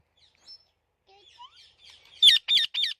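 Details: A talking parrot gives faint, scattered chirps and a rising whistle, then three loud, harsh squawks in quick succession at the end.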